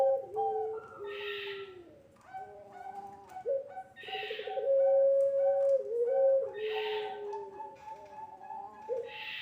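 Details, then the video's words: Pelung Barbary dove on a tutor and lure recording for young birds: several low coos, each with stuttered starts and long held tones that step downward, alternating with hissy bursts. "SUARA PANCINGAN BURUNG PUTER PELUNG GACOR COCOK UNTUK MASTERAN PUTER MUDA"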